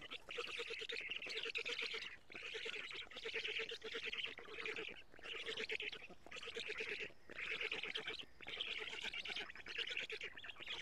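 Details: Black stork nestlings in Estonia during a lamprey feeding at 07:47, June 2017, on a live nest camera; raspy wheezing phrases of about a second each, repeated roughly every two seconds over a rhythmic low clicking.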